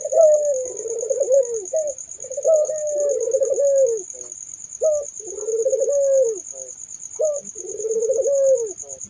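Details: Barbary dove giving repeated two-part coos, a brief bright note then a long quavering, slightly descending purr, four phrases at steady intervals with a faint high whine behind.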